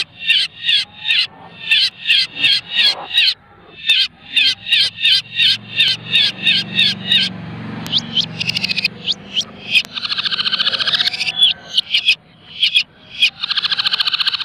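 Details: Hand-raised pet long-tailed shrike in a cage, trained on mp3 recordings, delivering a rapid, tightly packed mimicry-filled song: quick runs of short harsh scratchy notes, a brief noisy break midway, then dense rattling, buzzy chatter to the end.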